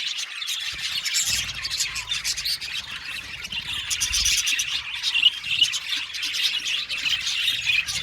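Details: Numerous budgerigars in an aviary colony twitter and chirp continuously, a lively high-pitched chatter that swells louder toward the end.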